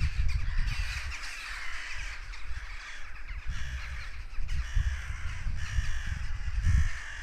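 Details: A flock of crows keeps up harsh alarm cawing after a goshawk apparently hunted nearby; overlapping rasping calls rise and fall in waves while wind rumbles low throughout.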